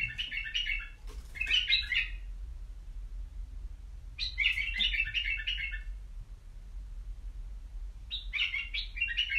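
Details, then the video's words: White-eared bulbul kept in a cage, giving three bursts of rich, bubbling warbled phrases separated by pauses of about two seconds, with a few sharp clicks and low background hum. "تغريد بلابل يجعل بلبلك يغرد"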